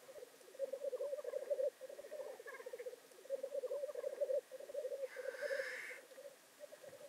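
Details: Performing black grouse at a North Wales lek, 25 February 2019: bursts of bubbling, rapidly pulsed cooing in phrases of roughly a second each, with one strong hissing sneeze near five and a half seconds.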